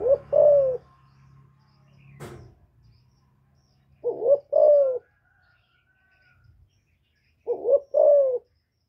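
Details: Female spotted dove, a kept cage bird, calling to stimulate newly kept males: loud paired hollow coos, each phrase a quick double note followed by a falling drawn-out coo, repeated about every three to four seconds, with a sharp click once.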